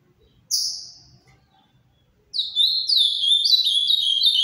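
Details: Captive ultramarine grosbeak of the Paraná type singing: one loud falling whistle, a two-second pause, then a long rich warble of quick slurred notes stepping up and down, recorded with almost no background noise.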